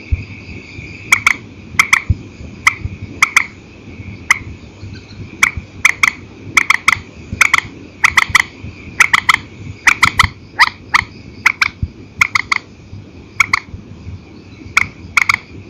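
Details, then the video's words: Purple swamphen calling at night, old recording in single and double style: a long run of crisp clicking notes, mostly doubled, repeated roughly every half second to second over a constant low background hum. "Tiếng trích hay file cũ TRÍCH 29, đánh đơn đánh kẹp ok, tiếng chim đêm"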